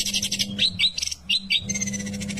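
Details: Long-tailed shrike singing a harsh scratchy chatter broken by a few clear upslurred whistles, with a low steady hum underneath.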